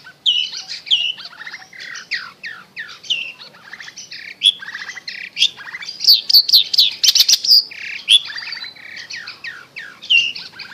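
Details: Long-tailed shrike (cendet) lure song used to stir a bird that has stopped singing: a varied, quieter medley of whistled downslurs and squeaky notes, then a louder patch of sharp high chirps in the middle.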